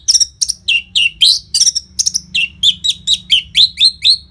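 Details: Nonstop Orange-headed thrush song with tight pauses, played to encourage caged birds to sing: rapid, evenly spaced high notes about four per second, each a sharp downward-slurred whistle, with low background hum.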